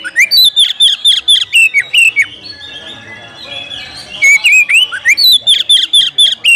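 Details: Oriental magpie-robin calling to provoke a rival into fighting. Clipped, ringing whistles come in quick runs, each note bending downward. A quieter pause between two bursts carries soft background noise.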